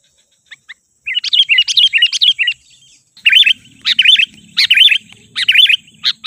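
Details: Sooty-headed bulbul lure call meant to make wild birds react. A fast run of rolling chirps is followed by paired W-shaped whistled notes repeated at a steady pace, over a low background rumble.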